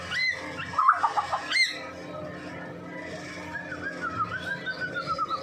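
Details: Medan white-rumped shama singing, kept to lure other shamas: a few loud high whistles and chatter, then a quieter rambling whistled phrase with a soft, quick trill, against a constant low hum.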